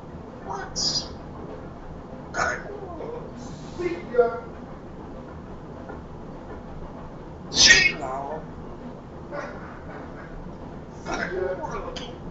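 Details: Pet African grey parrot speaking English, Spanish and Vietnamese: scattered bursts of mimicked words and harsh, voice-like phrases separated by long quiet gaps, a few short squawky syllables among them.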